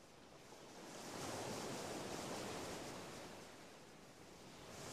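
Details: Waves and wind on the coast of the Baie d'Audierne, France, in late April to early May, swelling and fading as a soft broad roar with no animal calls.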